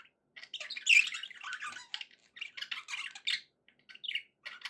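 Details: Pet budgies give a lively warble that opens with a loud squeaky squawk, followed by choppy clicks, buzzy chirps and short rasping notes in quick succession.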